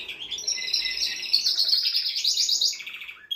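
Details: Male canary singing to rouse a female for mating: one continuous loud, high rolling trill with fast pulsed notes shifting in pitch, ending in a lower quick rattle and a short final note.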